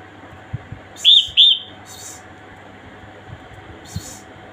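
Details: Calling female red-whiskered bulbul gives a pair of clear whistled notes close together, each with a rising-falling contour, followed by a quiet stretch with faint hiss bursts and occasional soft clicks.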